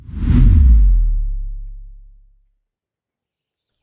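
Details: A single deep whooshing swoosh that booms and fades away within two seconds, followed by silence and no animal sounds.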